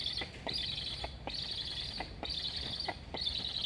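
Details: Black stork chicks at a nest in Estonia, filmed by a live nest camera on 26 August 2021; one asks to be fed while a sibling flies near the nest. Both chirp: hissy, high bursts about half a second long, repeated, with faint clicks between.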